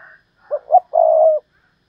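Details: Decoy spotted dove phrase in the Thúc Lợi Cốt manner. A faint higher sound comes first, then two short low coos and a long, sustained, even coo.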